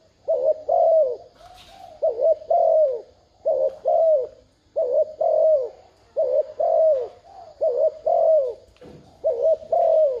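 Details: Spotted dove used as a decoy, cooing 'thúc gù' to lure wild birds: a long run of about eight mellow phrases, each a wobbling double note then a sliding downward coo, almost continuous.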